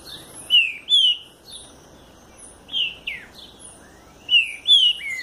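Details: Southern green-winged saltator delivering rich whistled song phrases, paired slurred notes swooping up and down, with short pauses between bursts and faint high twitters above.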